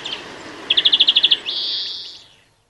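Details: UK European greenfinch in song: a rapid trill of about nine even notes, followed by a long, drawn-out wheezy buzz that fades away.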